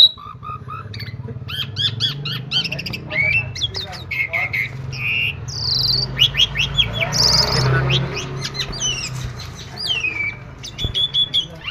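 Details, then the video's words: Asian pied starling giving a long, rich song of rapid chattering notes, whistles, buzzy rasps and descending slurs. People can be heard talking softly in the background. "jalak suren super mewah"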